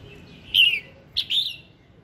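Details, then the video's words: Red-whiskered bulbul singing in the morning, a recording meant to prompt birds to sing: two short bright warbled bursts, the second a quick double note followed by a slurred whistle. "Tiếng Kích Giọng Chào Mào Hót Sáng"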